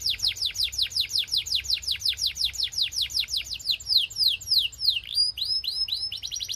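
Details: Belgian canary in song, offered to encourage other canaries to sing: a long series of clear whistled notes sweeping downward, roughly three each second, later quickening into tight, stuttering high twitters.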